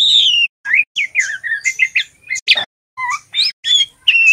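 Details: Juvenile male white-rumped shama practising song: varied fast phrases of high thin whistles, swooping slurred notes and a sharp rasping burst midway, broken by short silences.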